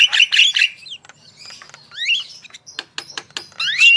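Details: Javan myna singing, used to prompt other birds: harsh squawks, rising whistled slurs and sharp clicking notes in an irregular, varied sequence, loud and close.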